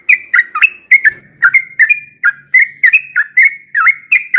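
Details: A yellow-vented bulbul, described as singing often in the morning, pours out a fast, even string of liquid whistled notes, several sliding down then up, roughly four notes per second, over a quiet background.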